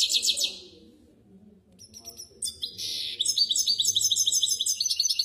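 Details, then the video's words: Misto hybrid canary on a training tape for young birds: a short rapid trill, a near-silent pause, then a busy stretch of chattering, clipped, high notes and trills. "شريط طائر الميستو الهجين للتحفيظ الفراخ"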